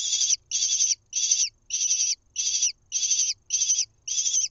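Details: Nest-camera recording from Israel, 1 June 2021: a lesser kestrel nestling gets fed a mouse, giving shrill, rasping screeches, eight even bursts about half a second apart, against a quiet low hum.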